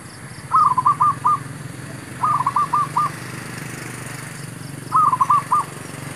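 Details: Zebra dove calling during bird trapping, with wild doves being lured: three separate bursts of rapid, stuttering coos, each of four or five short notes, spaced about two seconds apart, over a low steady hum.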